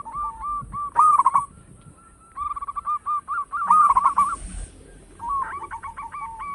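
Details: Local zebra dove with a big, booming song meant for luring birds: several phrases of fast, clipped cooing notes, some stretched into rolling trills, broken by short pauses, with a persistent high electronic tone in the background.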